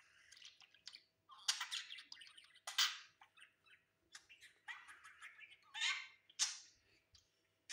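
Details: Pet budgerigar on a new perch giving irregular harsh, scratchy squawks and warbled chirps in uneven bursts.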